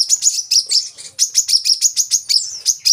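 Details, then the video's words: Kolibri kelapa, or coconut sunbird, singing as a lure for captive birds: rapid, high-pitched sharp chips and short twittering notes run together in quick bursts, with no other sounds. "kolibri kelapa | manggar | wiceh | pancingan burung korlap metalik gacor untuk burung bahan"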